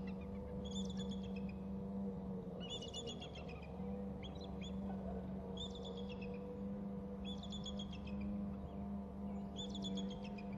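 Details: An eagle calls near its nest on May 12 at 19:45 as birds fly close by, giving high, staccato chittering bursts of rapid piping notes about every two seconds over a steady low electrical hum.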